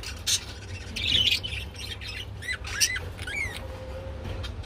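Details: Mating budgerigars make scratchy chatter and a few rising and falling whistled chirps, with a low background hum.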